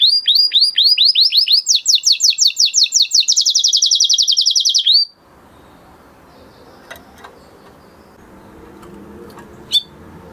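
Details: Male canary in breeding mood delivering a quick chain of sweeping notes, then a faster high buzzy trill, before the song stops and leaves soft room noise with a couple of faint clicks.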